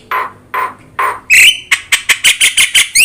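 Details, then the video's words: Yellow-eyed Javan myna in full song, kept as a tutor recording for other birds: three hoarse, breathy squawks spaced half a second apart, then a sharp metallic note and a rapid series of dry, clicking chatters. "JALAK KEBO GACOR MATA KUNING | Untuk Masteran Kicau Jalak Mania"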